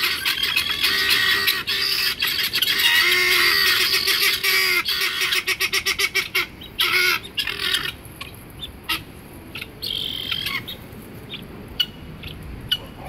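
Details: Pet Helmeted guineafowl, recorded on 31 March 2016, give harsh, grating chatter in rapid repeated bursts, then fall to scattered sharp notes.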